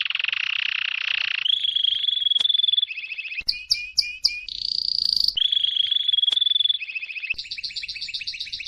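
A canary sings continuously in high, rapid rolling trills and sustained whistled tours, switching pattern every second or two, with sharp chirps between.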